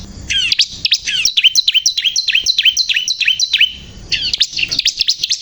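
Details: Chatty Bar-winged prinia delivering a fast, regular run of high, sharply falling chirps, about three per second, then a brief gap and a renewed burst of shrill notes.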